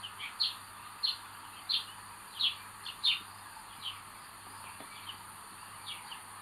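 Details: Common buzzard chick in the nest, the eldest acting aggressively, 25 May 2022: high thin downslurred cries repeated roughly every 0.7 seconds, fading toward the end, over a steady background hiss.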